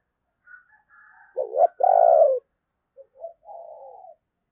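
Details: Caged decoy spotted dove calling to lure others, described as thunder-voiced: a strong stuttered note and a long rich coo, with softer higher notes before and quieter coos trailing after.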